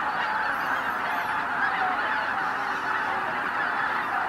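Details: Massed greater white-fronted geese, tens of thousands, lifting off at sunrise at Izu-Numa in Miyagi, Japan; a steady wall of mid-pitched honks blending into one continuous clamour, with a few thin higher squeals.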